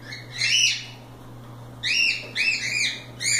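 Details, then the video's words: Free cockatiels at play give arched, harmonic chirps: one long note, then a quick run of three or four shorter upslurred-downslurred calls, over a faint steady hum. "Calopsitas Live Canto dos pássaros"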